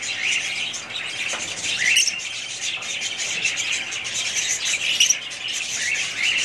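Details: Several budgerigars warbling and chirping nonstop, a thick layer of high, rasping notes with occasional sharper squeaks rising above it.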